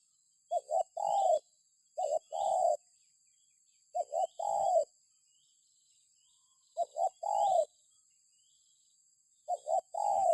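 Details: Spotted dove used as a calling lure, cooing steadily: five low phrases, each two quick short coos followed by one longer descending coo, repeated roughly every two to three seconds against a constant thin high-pitched background hiss.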